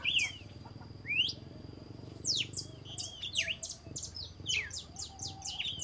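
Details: Dawn song of a red-cowled cardinal: a few slurred whistles at first, then a dense run of quick, high, downward-sweeping notes, with faint low noise underneath.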